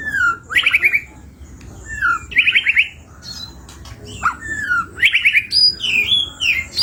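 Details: Lively white-rumped shama song with many variations, offered as a lure for other birds: repeated bursts of fast buzzy rising trills about every two seconds, mixed with high whistles and sharp chips.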